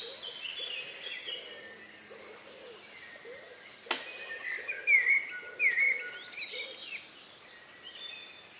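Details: Last birds singing in the countryside a few minutes before night, 2 May 2020 around 9 p.m., outdoors, ORTF pair of Neumann KM184 microphones into a MixPre-3 recorder: a few short high chirps, one sharp click, and a soft low repeated pulsing underneath.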